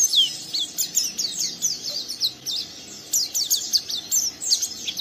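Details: Young captive oriental white-eye singing rough ngeriwik song to coax another bird to answer; steady run of thin, high, downslurred twitters, slightly softer and more distant.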